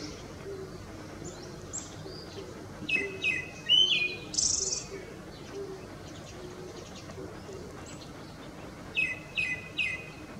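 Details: Male Tickell's thrush in Ladakh, singing in display to a female: short whistled phrases of a few clear notes near the middle-high range, given in separate bursts with pauses, over a faint steady background hiss.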